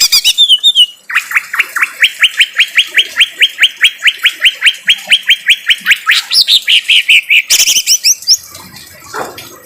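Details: Harsh song of a greater green leafbird, a tutoring recording with rain: brief sharp whistles, then a long, even series of about two and a half rasping chips per second, closing with scratchy squeaks.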